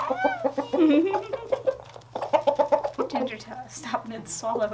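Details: Rooster, described as happy and then terrified, uttering a rising drawn-out squawk followed by quick, choppy clucking bursts, with a human voice faintly mixed in.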